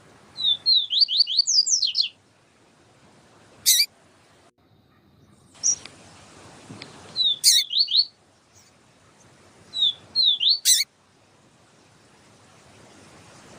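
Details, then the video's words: Yellow-bellied seedeater tutor song, with a female calling to excite the male: three bursts of rapid zigzag whistled notes, each a few seconds apart, broken by sharp loud clicks. "Papa capim siu siu Melodia com Fêmea chamando para Esquentar papa capim siu siu"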